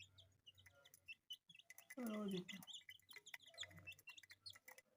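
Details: Colourful chicks kept as pets chirp in high, short peeps throughout, interrupted midway by a louder, lower, drawn-out voiced sound lasting about half a second.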